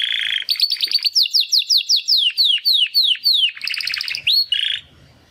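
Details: Young Timbrado canary brothers attempt song after their first molt: a low buzzy burst, then a steady run of about fifteen descending whistled notes, ending with a brief rattling trill.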